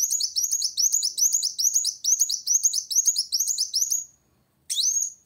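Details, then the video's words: Sunbird in rival-challenging song, a long burst of fast high twittering phrases for four seconds, a short pause, then a single rising whistled phrase. "Kolibri Wulung Gacor Cari Lawan"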